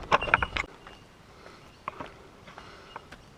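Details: A short burst of creaking and clicking opens the recording, followed by scattered faint knocks over quiet background.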